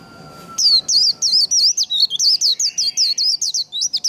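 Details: White-eye singing the fast 'líu' fighting-song style, used to stimulate and train singing: a rapid run of high, sharply bending whistled notes, about four per second, continuing without a break for over three seconds.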